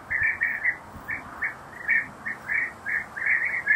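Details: European bee-eaters feeding young at nest burrows, preparing insects, give rolling, liquid 'prruip' calls, short burry notes repeated several times a second, overlapping as more than one bird calls.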